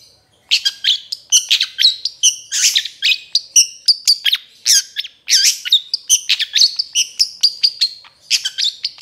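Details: Long-tailed shrike (cendet trotol) song for training other birds to sing: continuous rapid, varied high chirps and whistled notes with sharp clicks, delivered in dense bursts with brief gaps around half a second and five seconds.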